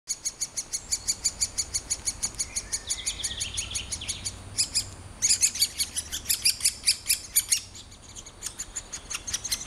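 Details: Young great spotted woodpeckers being fed by a parent beg with a fast, near-continuous run of shrill, scratchy high chirps, pausing briefly midway before surging again, over faint background noise.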